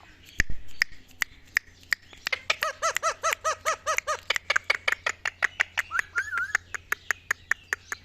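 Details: Ringneck parrot, a pet, angry and fighting; a fast series of about thirty harsh, clipped squawks in eight seconds, shifting pitch as they go, with sharp clicking knocks throughout.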